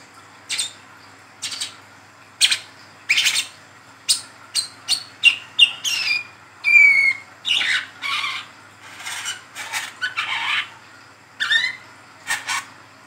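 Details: Young mottled brown-throated sunbird giving a lively ngeriwik call, used as a lure to train caged birds: quick bursts of scratchy, high chirps and thin whistled notes, some in rapid clusters, others spaced about a second apart.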